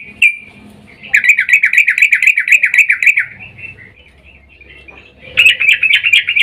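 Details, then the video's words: Breeding-mood female sooty-headed bulbul calling a male, played as a lure: one short note, then a long fast series of bubbly warbled chatter notes, quiet pause, and another brisk chattering burst. "trucuk Betina memanggil jantan EMOSI BIRAHI"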